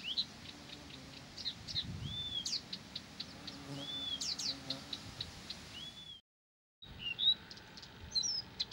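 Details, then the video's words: Blyth's reed warbler singing tirelessly: scattered high clicks and ticks mixed with smooth arched whistles, then a brief gap of silence and more sharp notes afterward. "САДОВАЯ КАМЫШЕВКА НЕ В СИЛАХ ПОМОЛЧАТЬ!"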